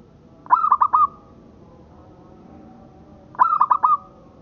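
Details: Local zebra dove (perkutut lokal) kept as a master song: two phrases about three seconds apart, each a fast stuttering run of four notes that slides into a smooth held coo.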